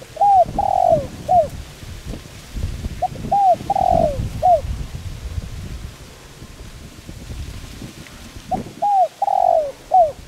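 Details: Spotted dove calling coo for luring and training birds: three evenly spaced phrases, each a short note, curved coos and one longer descending coo, separated by pauses of rustling background noise.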